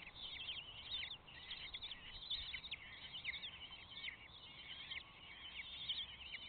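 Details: Kestrel nestlings begging for food from their box, giving rapid overlapping high-pitched chitters and whining trills that run almost unbroken throughout, several chicks calling at once over faint low rumble.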